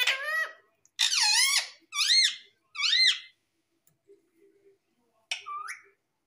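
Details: A pet parrot indoors gives shrill, squeaky calls in four close bursts, each sliding down then up in pitch. After a quiet pause with faint soft sounds, a fifth, shorter squeak follows.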